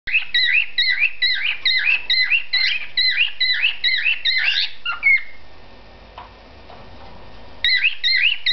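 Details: A male cockatiel sings a rapid, repeated series of shrill, warbling whistles as a courtship song to attract a female, who rejects him.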